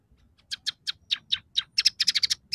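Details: Scaly-breasted munia song mixing in sparrow, red siskin and canary phrases. Sharp chirps come irregularly at first, then speed into a dense burst of paired chirps, over a faint low background hum.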